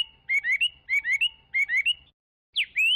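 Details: Chinese hwamei singing loud whistled phrases, each a quick run of three rising notes, repeated three times about every 0.6 seconds, then a sharp downslurred note and a long rising whistle; faint low rumble underneath.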